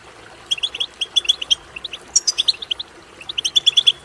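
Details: Goldfinch song used to encourage a caged goldfinch to sing: quick strings of bright, tinkling chirps in three phrases separated by short pauses, one sharp high note in the middle, against quiet background.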